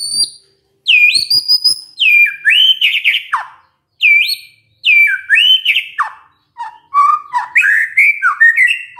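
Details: White-rumped shama song used to lure other shamas into answering: loud, varied whistled phrases with sweeping rising and falling notes in bursts separated by short pauses, richly melodic and fast.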